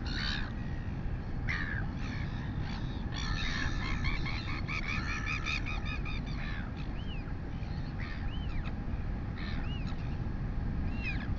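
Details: Mother royal albatross feeding her female chick, New Zealand, 11:24 am on 23 August 2020. A burst of rapid rattling, clattering calls gives way to four spaced, arched whistled whines, while wind roars steadily behind.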